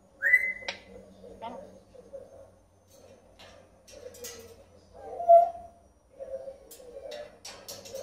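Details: Pet red-tailed African grey parrot talking in Spanish: a rising whistled note opens, then a run of mumbled, speech-like syllables in short phrases with pauses, one louder burst midway.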